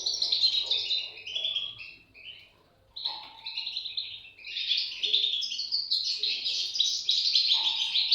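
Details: European goldfinch chicks chirping in bursts of thin, high twittering, falling quiet for about a second, then breaking out again in louder, more insistent overlapping squeaks.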